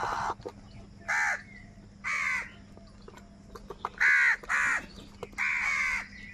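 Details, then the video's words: Crows squabbling for food, calling in short hoarse caws spaced about a second apart, then a quicker burst of three, with faint clicks and a low hum behind. "crow bird live crowing sounds | Crow bird Fight for Food"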